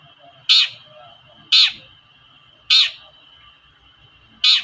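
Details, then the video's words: Long-tailed shrike (cendet) lure call to make shrikes sing: single loud harsh notes repeated roughly every second, separated by quiet gaps, over a constant high hum. "PANCINGAN BURUNG CENDET"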